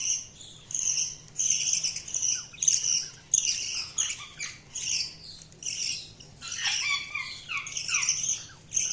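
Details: Chirping budgies produce a stream of rapid, high scratchy notes in pulsing bursts, joined partway through by lower, rising-and-falling warbled chirps from another bird.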